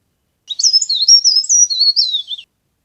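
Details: Leaf warbler, known locally as cikrak daun or pare pare, in a recording used to lure birds for trapping. About two seconds of lively, very high warbling with quick rising and falling slurred notes, with no other sounds.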